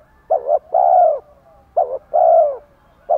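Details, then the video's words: Male and female spotted doves cooing to spur a male to call: paired phrases of a short wavering double note then a longer full husky coo, repeated twice with a clean pause between. "Chim cu gáy thúc gù chất giọng gấy ức chế cho bổi rất cao, mở lên bổi gáy liền và dai dẳng"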